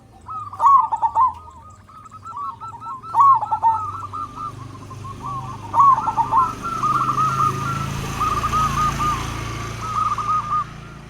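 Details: A local zebra dove, loud and active, used to make other zebra doves call: three phrases of stuttered, rolling coos, the last stretch of notes partly buried under a rising background hiss and low rumble.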